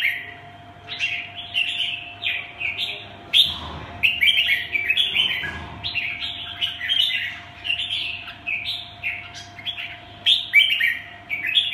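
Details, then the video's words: Red-whiskered bulbul, a caged songbird, singing rapid warbled phrases in bursts, short slurred notes strung together with brief pauses, a steady low hum underneath. "Kênh về chim Chào mào"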